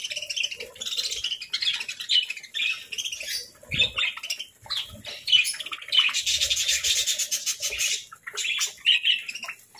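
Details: Pet parakeets at their morning breakfast feeding, chirping in bursts of bright, scratchy notes throughout, with a softer gap near four seconds and a stretch of rapid wing flutter around six to eight seconds.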